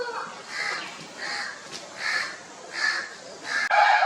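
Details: Chickens on an Indian poultry farm with Italian and desi birds, establishing territories: a series of short, harmonic, squawking calls repeated roughly every 0.7 seconds, with a louder call at the end.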